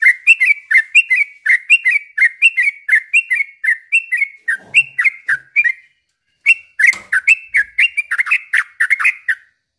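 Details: Yellow-vented bulbul singing nonstop, a lure and tutor recording to rouse silent or stressed birds. Bubbly down-slurred notes repeat about twice a second, stop briefly, then resume in the same pattern.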